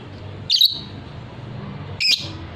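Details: Fighter-type lovebird in a training recording: two harsh, high squawking chirps about one and a half seconds apart, each slightly doubled, over a quiet low hum.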